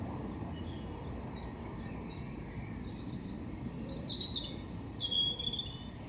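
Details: A European robin singing in Hengelo, Netherlands, on 5 May 2018: thin, high notes in a quick run, then louder trilled and warbled phrases, over a steady low background rumble.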